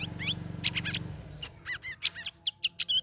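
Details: Caged sooty-headed bulbul in its third week of training among a group of other birds, singing in a chattering, full-voiced style: quick bursts of sharp chirps and short downward whistled notes, with a low mechanical hum underneath at first.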